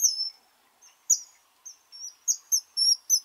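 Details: Kingfisher calling with shrill, high-pitched whistled 'tsee' notes, some drawn out and some clipped, delivered in irregular bursts with short pauses between them, against a quiet background.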